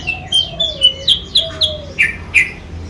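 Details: Short burst of a sooty-headed bulbul lure call, known locally as kutilang sutra and used to attract rivals. About eight quick, clipped, high chirps, with two soft, low, falling whistles beneath them.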